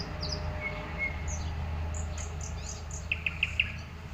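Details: Nightingale singing in a garden in spring among blooming clematis and peonies: a long pure whistle, then four quick, loud repeated notes, with high thin chirps scattered throughout over a steady low rumble.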